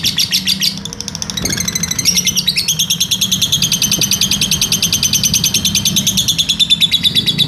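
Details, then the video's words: Caged lovebird singing a long 'ngekek' trill, recorded as a master track for training other birds: a fast, buzzy chatter of repeated notes. It starts broken, then runs steadily at about three pulses a second over a low indoor hum. "masteran lovebird ngekek panjang"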